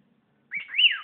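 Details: Pet bird kept indoors, whistling: one clear whistled phrase that rises, peaks and slides back down, preceded by a brief softer rising note; otherwise quiet.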